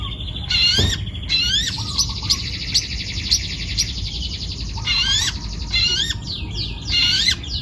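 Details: Vigorous song from a young wild-caught long-tailed shrike: harsh buzzy phrases and a long run of fast rattling, chattering notes, then more scratchy bursts. A low hum sits underneath.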